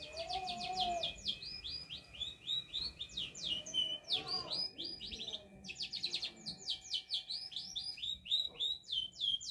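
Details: Canary in vigorous song while learning to shake its head: long runs of rapid, repeated high downward-slurred syllables in several bursts, with brief gaps. A steady tone hums beneath, and there are faint low sounds.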